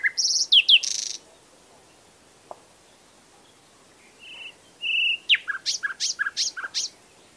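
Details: Singing nightingale: a rich burst of shrill, buzzy notes, a pause, two clear short whistles, then a fast series of descending chirps.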